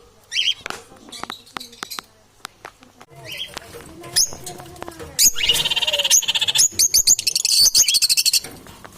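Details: Parrots competing for survival: scattered squawks and clicks, then a long harsh screeching bout broken into rapid pulsed notes, about eighty-eight per minute.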